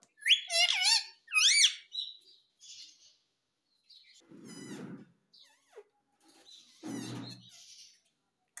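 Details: Talking parrot taught to say words like mummy and papa: two loud, harmonic, rising-and-falling vocal sweeps, then softer chirps, a harsh raspy burst and a later buzzy squawk with quiet gaps between.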